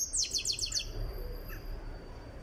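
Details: European goldfinch of Tiaret, nearing readiness in training, gives one brief phrase of about six quick, high, descending chirped notes, then near silence.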